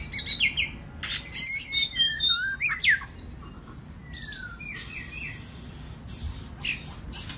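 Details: White-rumped shama song used to encourage other birds to sing: varied whistles and chips in the first half, then quieter spaced whistled notes and soft hissing noise bursts.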